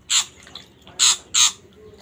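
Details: Hand-reared Long-tailed shrike nestlings, taken from a nest in a coffee tree, give their genuine call: three harsh, rasping squawks, the last two close together, over a quiet background.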